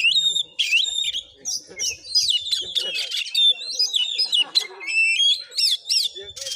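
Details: Fighting Oriental magpie-robin at Padang Gading village, Muko Muko regency: a dense medley of ringing whistles, looping upslurs and grating buzzy bursts, delivered nonstop with sharp accented notes toward the end.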